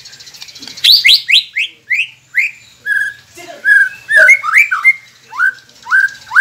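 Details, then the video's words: White-rumped shama song used to prompt quiet captive birds into singing: a rapid varied series of whistled, downward-sweeping notes, then rich fluted phrases and upslurred whistles, with loud bursts repeated about every half second. "Murai Pendiam Cepet Buka Suara dengan masteran ini | shama bird"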